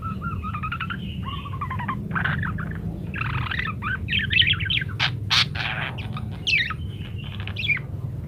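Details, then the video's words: Parakeet song with many variations, kept as a training recording for munias; a rambling warble of wavering whistled notes and squeaky chirps, with several sharp clicks near the end, over a constant low background hum. "rekaman suara asli burung PARKIT gacor berbagai variasi"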